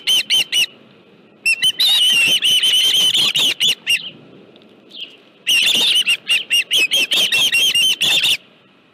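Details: Live fish at the Dunrovin Ranch osprey nest, 25 July 2018, 5:23 PM: bursts of fast, shrill whistled chirps, broken by a quiet gap of about a second and a soft lone note, then rapid chirping again.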